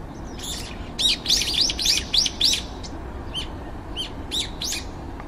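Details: Brown-eared bulbuls visiting a garden, some five birds waiting for a turn to eat and calling loudly, compact-camera recording: a rhythmic string of five or six strong arched chirps, then softer spaced notes.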